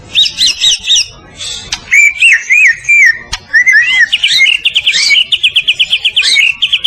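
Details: Medan-type white-rumped shama singing gacor masteran song meant to train other birds: quick repeated high notes, a sharp click, looping whistled slurs, and then a fast, even string of notes.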